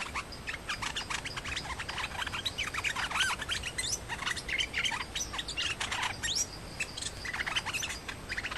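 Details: Challenger and resident Nok dok taeng males in a fight-only encounter, no singing: busy bursts of high chirps, buzzy squeaks and brief whistled upslurs tumbling over one another, with short pauses between flurries.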